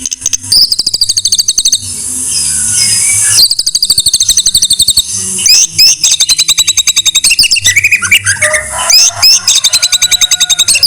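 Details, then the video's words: White-rumped shama song for masteran tutoring: high sizzling trills give way to fast, machine-gun-like chattering. Later come varied whistled phrases and slurred notes, with a steady low hum in the background. "Masteran MURAI BATU No.1"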